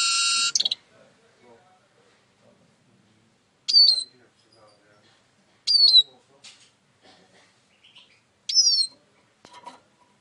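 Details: Eurasian siskin opens with a brief harsh buzz, then gives spaced, high, sweet notes that slide downward, about two seconds apart, over faint background sounds.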